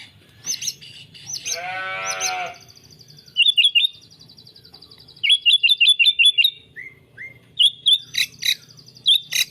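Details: White-rumped shama, a champion fighter, giving a brief raspy buzz followed by a long high trill, quick repeated whistled notes in series, and sharp high chirps, over a faint low hum.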